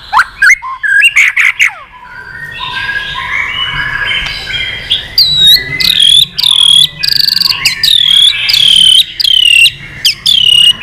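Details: Agitated white-rumped shama singing in many voices with continuous tail wagging: a few steep whistled sweeps, a softer jumbled warble, then a series of loud downslurred whistles roughly every second.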